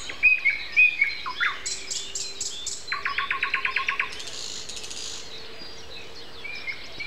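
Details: Morning song of a common nightingale at 7:55 on Sunday, April 29: a few whistles and a rising slur, then a fast series of about ten identical clipped notes, over a faint steady hum.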